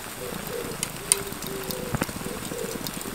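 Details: An Oriental turtle dove, identified by viewers, gives low, soft hooting coos in a steady repeated phrase at a campground in Hampyeong, South Korea, during rain. Faint outdoor hiss and scattered nearby clicks and taps are heard.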